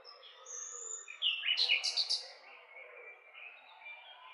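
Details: Nightingale song from Romania: a thin whistle, then a fast stuttering run of about eight loud, clipped notes lasting one second, fading into faint background birdsong.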